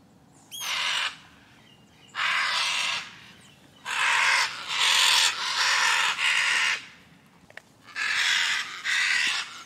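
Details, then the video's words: Scarlet macaw screaming: long, harsh, raspy broadband screeches about a second each, given in separated bursts with brief gaps, over a faint low background hum. "Scarlet Macaw Screaming | Scarlet Macaw Sound | Scarlet Macaw (Ara Macao) Video | Macaw Flight Call"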